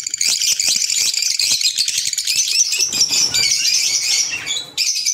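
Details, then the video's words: Group of pet green Fischer's lovebirds in steady, dense, shrill chattering, a continuous screechy twittering wall of high squeaks with no pauses. "Fisher Love Birds Sound | African Lovebirds | Green Fisher Love birds Voice"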